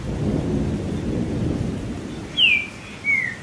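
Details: Trinca-ferro, or green-winged saltator, singing with rain as stimulus; heavy rain and a low rumble of thunder fill the start, then two bright whistles enter, the first sharply falling, the second lower and drawn out.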